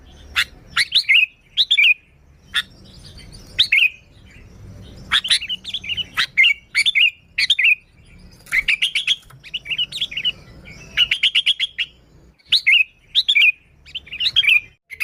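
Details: Sooty-headed bulbul singing continuously to lure bulbuls: a long sequence of short slurred warbles and crisp clicks repeated every second or so, with a faint low background rumble.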